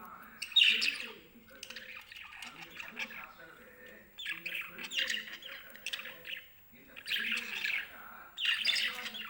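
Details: Lovebirds calling happily in the morning while their cage is cleaned: bursts of harsh, high chirps and squawks in clusters separated by short pauses, with lower household sounds underneath.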